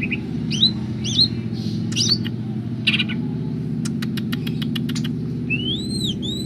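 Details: Greater green leafbird, kept and singing actively: looping rising whistles, a burst of quick clicks, then a bright arched whistled phrase with overtones, all above a continuous low mechanical drone.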